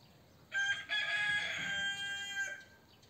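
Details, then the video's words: Rooster crowing on a morning recorded outdoors on location, birds twittering around; one loud, drawn-out harmonic crow lasting about two seconds, opening with a short note and a brief break before the long sustained cry that fades at the end. "Прекрасное утро началось с щебетания птиц и крика петуха!"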